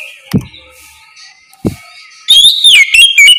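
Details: Ngeplong song of an oriental magpie-robin in the morning, a lure to get other magpie-robins calling back: two dull knocks over faint background, then a loud run of bright, falling whistles.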